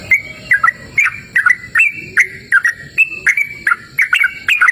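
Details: Yellow-vented bulbul recorded in open nature, delivering a steady stream of sweet chirping notes with slurred whistles, about three per second, over soft background noise and faint high steady tones.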